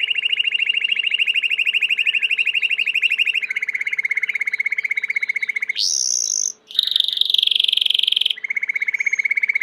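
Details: Domestic Belgian canary delivering long rapid rolling trills at a steady pitch, switching to a rising high note and a descending buzzy trill before the rolls resume.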